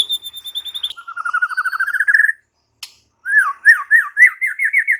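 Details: Murai batu, the white-rumped shama, singing: a high thin whistle, then a rising series of buzzy repeated notes, a brief pause, and a run of loud swooping phrases.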